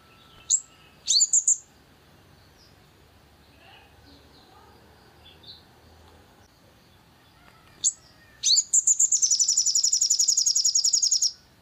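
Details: Long-tailed shrike song used as a lure to provoke other birds to sing: a few sharp, high, scratchy calls, a long quiet gap, then a fast, harsh, high-pitched chatter of evenly repeated notes lasting about three seconds.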